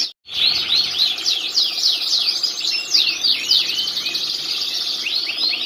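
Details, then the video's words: Canary master song used to train birds. After a short silent start it pours out a loud, high warble of rapid sweeping notes and chattering trills that runs steadily to the end. "mantap ampe miring" bunyi terus.... Masteran canary"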